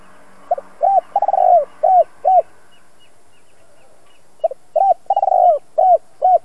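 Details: Spotted dove, a two-ending 'giọng đồng' voice used to train decoy birds, gives two phrases of low hollow coos: a short stutter, a rolling tremulous coo, then two or three clear coos, separated by a pause.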